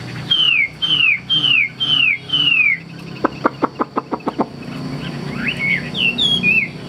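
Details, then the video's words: Tame caged Hwamei on the right, said to sing well: four loud, clear descending whistles, then a quick burst of sharp clicks, then softer looping whistled notes, with a low hum behind. "HÓT TỐT"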